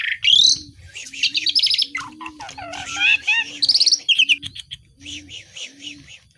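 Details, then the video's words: Asian pied starling in full song packed with imitations of local birds: a rising whistle, rapid chatter, downslurred notes and buzzy trills, over a steady low coo repeated roughly every half second in the background. "JALAK SUREN GACOR BESETAN ISIAN🔖BURUNG SEKAMPUNG JADI BUNYI"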